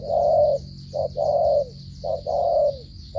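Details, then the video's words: Spotted dove cooing close up, each phrase a quick clipped note running into a long, slightly falling mellow coo, about once a second, with a steady high whine behind. "thổ trận âm tốt giao long lở gù cà lăm"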